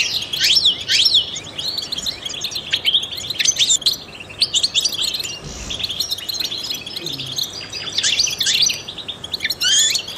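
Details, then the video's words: Trained European goldfinch singing to stimulate other songbirds: rapid twittering of high chirps, sharp downward-sliding notes and short trills, dense and continuous throughout with slight low background hum. "in the wild goldfinches chirp to stimulate songbirds"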